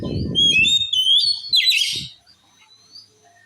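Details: Oriental magpie-robin singing in a way said to enrage rival males: clear sliding whistles and a rising buzzy flourish, over a low rumbling noise at the start, then near silence.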